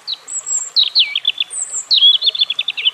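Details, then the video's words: European robin phrases: high drawn-out whistles alternate with quick jumbled notes, ending in a rapid, rattling trill. "European Robin Calling Sound"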